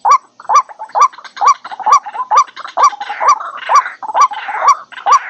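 A White-breasted waterhen gives harsh, nasal croaking notes, about two each second, in a steady, insistent series with no other sounds.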